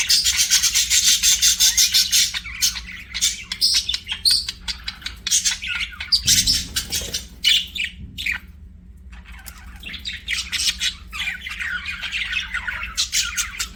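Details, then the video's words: Pet budgerigars chirping in an aviary: dense, scratchy warbling chatter with rapid clicks and squawks, broken by a short pause near the middle, with a steady low hum underneath. "BUDGIE CHIRPING SOUNDS"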